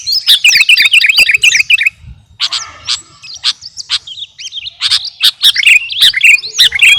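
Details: Captive Kutilang Garuda sooty-headed bulbul in full song, used as training song for cage birds: rapid bright chirps and twisting whistled notes high in pitch, a short pause near two seconds, then sharp clipped bursts and liquid phrases resuming.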